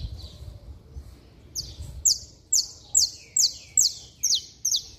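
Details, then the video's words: Saffron finch belting out song used to excite other saffron finches. After faint chirps, a steady run of bright, sharp, high notes repeats roughly every half second. "Canário da Terra Estralando Muito - Ótimo Para Esquentar Qualquer Canário-da-terra!!!"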